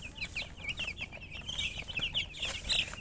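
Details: Chicken chirping with a hen present: a crowded run of rapid, high, twittering chirps overlaps continuously and rises and falls in loudness every fraction of a second.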